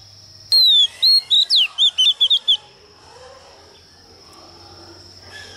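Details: A female Oriental magpie-robin sings to provoke rival males, kept as a lure. A burst of about nine bright whistled and slurred notes lasts two seconds, followed by quiet with faint background hiss and a constant high whine.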